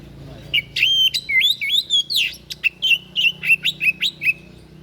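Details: Odd song of a white-breasted bird, used for training caged songbirds: a steady string of high whistled phrases, each slurred up or down, with crisp clicks between them over faint low hum.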